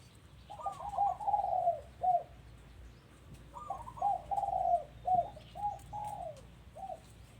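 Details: Home-recorded dove giving two cooing phrases, each a rising opening note followed by a burbling string of short, descending coos, with a quiet gap between them.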